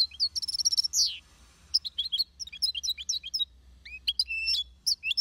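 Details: European goldfinch singing in an aviary, a fast jumble of bright twittering notes, high buzzy trills and liquid upslurred chirps in bursts with short pauses, over a faint low hum.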